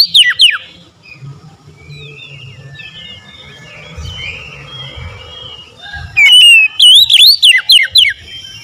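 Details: Oriental magpie-robin gives a brief whistled phrase, then after a long quiet spell of faint distant chirping a loud run of rapid, up-and-down whistles near the end over a low hum.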